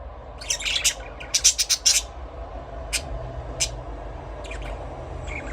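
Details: Budgerigar chirping: a quick cluster of short, sharp, high chirps early on, then a few scattered single chirps over a low steady hum.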